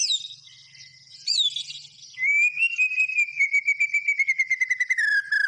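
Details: White-rumped shama: after a few scratchy notes comes a long, even whistle that slowly falls in pitch, laced with fast ticking notes repeated about two and a half times a second.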